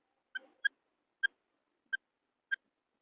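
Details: Female quail call for luring birds in wheat fields: single short, sharp notes repeated roughly every 0.6 seconds, the first with a brief scratchy tail, otherwise silent background.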